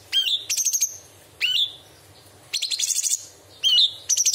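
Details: Straw-headed bulbul delivering masteran song with bird and insect imitations: repeated phrases of a clear upward whistle followed by a fast high stuttering rattle, about four phrases over a few seconds.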